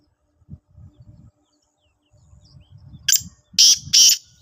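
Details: Black francolin in Sindh, Pakistan, giving a harsh call: three loud, grating broadband bursts near the end, preceded by soft low rustling and thumps.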